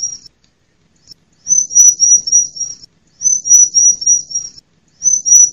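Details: A female bar-winged prinia gives its lure call, meant to provoke silent birds and call in wild prinias: strings of six or seven piercing, high, evenly spaced notes, repeated about every one and a half seconds.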